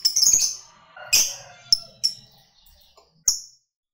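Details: Lovebird of the fighter type, a call meant to provoke other birds: a few harsh, high, scratchy chirps at uneven intervals with quiet gaps between them.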